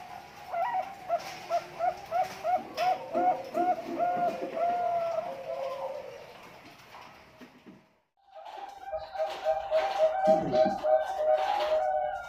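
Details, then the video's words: Zebra dove of the Bangkok-ring type from a bird farm in Pasuruan, East Java, Indonesia: a run of rapid, soft cooing notes for about five seconds, a short pause, then more overlapping coos and background clatter. "SUARA PERKUTUT BANGKOK RING"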